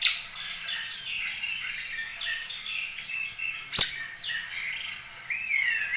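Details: Lively Oriental magpie-robin song in the 'ful roll tembak' style, meant as a model for training other birds. A continuous rush of high, varied whistled and chattering notes, with rising slurs and quick trills and one brief sharp click.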